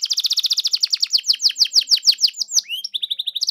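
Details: Canary song used as a lure to make a canary sing back: a fast, regular chopping trill that slows into louder downslurred notes, a brief rising whistle, then a quick high trill restarting.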